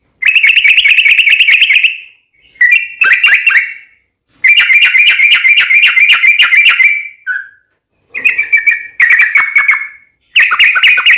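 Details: Long rapid 'ropel' song of a yellow-vented bulbul, played as a lure so other bulbuls answer: extended fast chattering runs of bright, buzzy notes in four main bursts separated by brief gaps.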